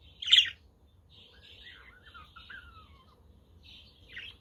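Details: Budgerigars kept as pets, recorded on a sunny, windy day: one loud squawk, then gentle warbling with sliding whistled notes that fall in pitch, and a final short squawk. A Quaker parrot and a conure are also around.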